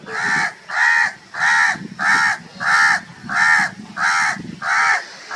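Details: Crows calling loudly: eight harsh, hoarse caws in a steady series, one roughly every 0.7 seconds, each short and evenly spaced with brief gaps, over a faint low background rumble.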